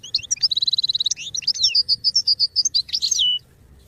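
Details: Goldfinch song for training young singers: a fast even trill of repeated notes, then a string of clear, slightly rising whistled syllables and a buzzy closing flourish.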